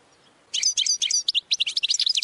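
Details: Goldfinch training song: a lively, rapid chatter of high metallic chirps and twittering notes, steadily repeated after a brief silence at the start.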